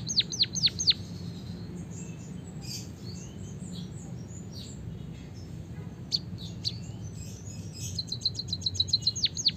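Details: Javanese white-headed munia in long canary-style song. A burst of falling whistled swoops is followed by a quiet stretch with scattered faint notes, then a fast, even trill that closes with swooping whistles.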